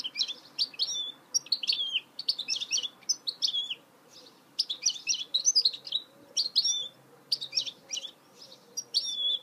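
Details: A goldfinch hybrid (mule) delivers repeated short bursts of sharp, twittering, slurred high notes, each phrase about half a second long with brief gaps between them.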